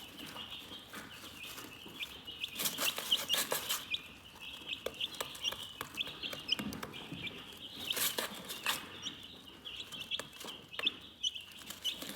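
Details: Soothing chicken chirping: a constant high peeping chorus with bursts of louder activity, plus repeated rustling and tapping sounds.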